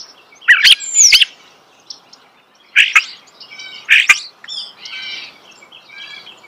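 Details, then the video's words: Close natural recording of a starling's song: sharp clicks and dry rattling notes in clusters, with softer chattering squeaks filling the pauses between them. "The song of the starling"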